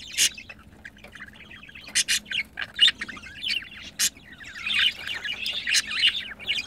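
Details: Budgerigars kept as pets, mating: sparse sharp clicks and short squawky chirps, building into a louder, busier chattering warble toward the end.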